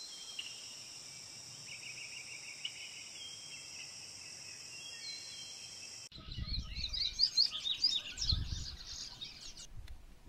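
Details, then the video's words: Patativa bird: after about six seconds of steady high insect buzzing with faint short repeated notes, a loud, fast, varied warbling song of twittering and tumbling high notes bursts in and runs to the end. "PÁSSARO PATATIVA VERDADEIRA"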